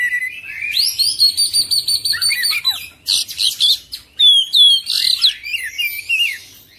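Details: Oriental magpie-robin singing a rolling, non-stop 'full isian' song: rapid high whistled notes, steady pure tones and buzzy trills in quick bursts with brief pauses. The background is quiet.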